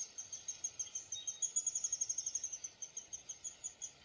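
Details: Downy woodpecker calling with rapid, high chip notes that speed up and strengthen in the middle, then ease back to a steadier beat, with soft background noise.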